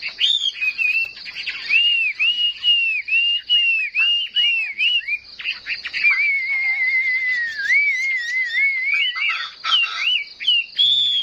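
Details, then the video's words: Caged Chinese hwamei in fighting song, tail spread: series of clear arched whistles, then a long wavering warbled trill, ending in sharper notes. "Họa mi hót đấu"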